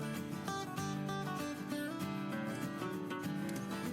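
Only strummed acoustic guitar music is heard, with no animal sounds.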